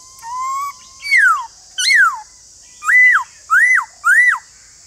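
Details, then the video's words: White-cheeked laughingthrush kept as a cage bird, singing a slow series of rich whistles: a faint rising whistle, then two loud down-slurred notes and three arched whistles, evenly spaced about half a second apart. "Nếu khướu bạc má nhà bạn đang bị yếu lửa không hót thì mở video này lên kích bổi vô cùng hiệu quả"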